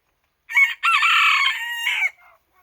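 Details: Japanese bantam rooster, one of a pair kept together, possibly a katsura or silver-duckwing ginsasa type, crowing: a short harsh opening note, a brief break, then a long strained drawn-out note that falls and fades, in a quiet setting.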